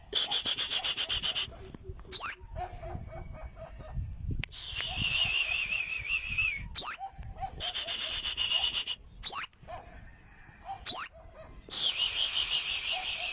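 Olive-backed sunbird singing: thin, high, rapid buzzy trills in bursts of a second or two, broken by sharp upslurred whistles every two seconds or so.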